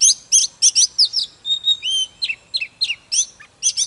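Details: Captive Oriental magpie-robin (Copsychus saularis) song: a rapid, varied run of high, sweet whistles and chirps, with a few long pure whistled notes and quick slurred phrases, in quiet surroundings.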